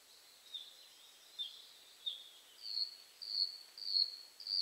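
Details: Bluethroat singing from bushes: a series of thin, high whistled notes repeated roughly twice a second, the early ones wavering and slurred, the later ones steadier, more sustained and growing louder, over a faint steady background hiss.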